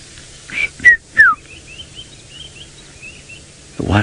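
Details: White-browed scrub robin (Cercotrichas leucophrys) sings three loud, clear, falling whistles, then a soft run of quick high notes, at sunrise around 7 AM, 12 December 2017, Djuma Game Reserve, Sabi Sand, South Africa, near a young male leopard stalking impala; noise burst ends.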